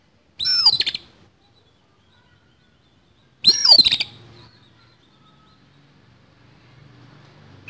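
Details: Harsh fighting song of an oriental magpie-robin: two rough, broadband bursts about three seconds apart, each opening with a shrill whistle that drops in pitch and breaks into grating rasps, then silence.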